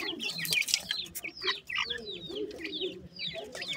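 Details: Young dakhni teetar (francolin) chicks call in a noisy flurry: loud high cheeps at the start, then spaced, downward-curving peeps over low background chatter.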